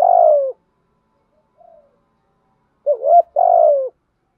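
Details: Decoy spotted dove giving the urging coo style, used to stir wild doves: a loud low mellow coo, a faint short note, then a quick rising two-part coo followed by a long falling coo, with quiet background.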